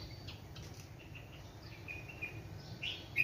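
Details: Two sparrows in a large mango tree beside a house in the morning, in a cool breeze, chirp in short, high, scattered notes, some sharper squeaks near the end, over a steady low hum.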